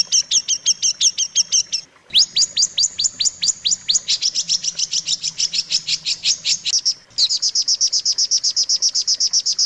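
Long-tailed shrike giving fast, high, bright chirps strung into three long bursts, many notes per second, some sweeping sharply downward.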